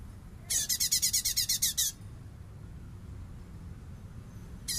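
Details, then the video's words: Light-vented bulbul giving full bessetan, used as a master recording for training songbirds: one harsh, buzzy rattling burst of about nine rapid pulses lasting over a second, then quiet with low background hum and the start of another burst. "CUNGKOK FULL BESSETAN!!!"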